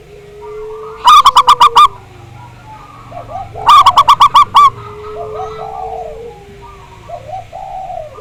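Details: Big-voiced local zebra dove, played as a lure so other zebra doves start singing: two separate bursts of five or six fast, clear, evenly spaced coo notes, with softer, lower, drawn-out coos from other doves throughout the background.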